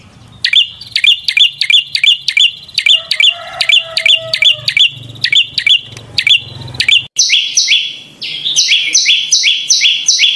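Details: Prinia pouring out rapid sharp chirps nearly three per second, then switching to a different, higher double-noted phrase; soft low hum in the background early on.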